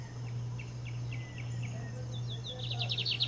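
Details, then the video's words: Lined seedeater in full song, opening with a string of short, evenly spaced chirps that speed up into a fast, buzzy, rattling trill at the end, with a constant low electrical-sounding hum underneath. "Estrelinha Bigodinho cantando pra valer (Sporophila lineola)"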